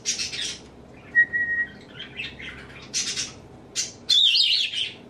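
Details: Indoor pet African grey parrot, male, imitating people's sneezing, laughing, burping and nose blowing: airy hissing bursts, a steady whistle, then a long loud rasping blast at the end.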